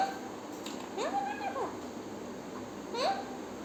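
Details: Parrot vocalizing in a speech-like way: two short nasal, harmonic utterances, the first arching up then level and falling, the second rising quickly and holding steady, over a low steady background hiss.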